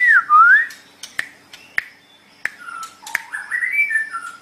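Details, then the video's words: White-rumped shama song for training other birds; begins with a loud looping whistle, followed by sharp clicks and short notes, then a rising and falling warbled phrase. "Ocehan Burung Murai Batu"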